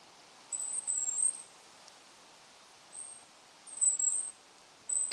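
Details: A family group of long-tailed tits right overhead in a dark wood, giving very high, thin, trilling calls in four short bursts over five seconds, with a quiet woodland hush between them.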